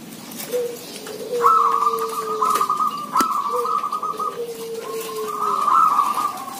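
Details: Zebra doves sing in a busy chorus: long runs of rapid, bubbling trilled coos, with softer, lower, drawn-out falling whistles underneath and a sharp click midway.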